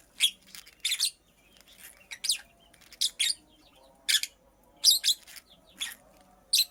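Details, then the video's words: Female purple lovebird at work making a nest, uttering loud, scratchy chirps in single and paired notes roughly every second, with faint low hum behind them. "Purple Lovebird Chirping Sounds - Female Lovebird Makes a Nest"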